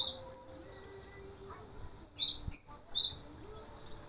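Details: Male cinereous tit singing, recorded as a tutor track for training songbirds: two quick bursts of very high, sharp, downslurred chirps, five to six notes each, separated by a short pause, over a faint low background hum.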